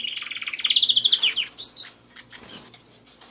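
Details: Pet canary singing indoors: a fast run of repeated high trills that rises into a bright, rolling phrase, then breaks into scattered chirps and short buzzy notes. A faint steady low hum sits underneath.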